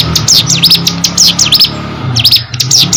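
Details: Hill prinia in lively, nonstop song: quick series of shrill, high whistled notes that sweep down and up, delivered in rapid bursts with a short pause near the middle, low hum underneath.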